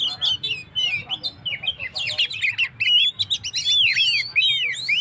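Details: Oriental magpie-robin singing energetically, offered as a lure for stressed birds: choppy twittered phrases give way to loud, looping whistled slurs and sharp chirps in quick succession.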